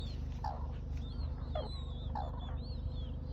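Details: Red-crowned crane: short, harsh, mid-pitched calls about once a second, with thin high whistles from other birds and a steady low hum beneath.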